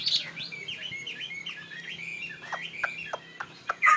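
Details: Tame fighting Chinese hwamei of northwest Vietnamese origin, kept in Saigon, singing a run of rising and falling whistled notes that give way to sharp dry clicks near the end.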